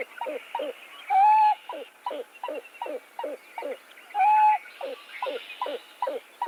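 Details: A Pied-billed Grebe at a wetland gives its loud "ow hoop" call, audible over distance and often drawn out as if tiring: a fast run of hollow hooting notes, several per second, broken twice by a longer, level whistled note.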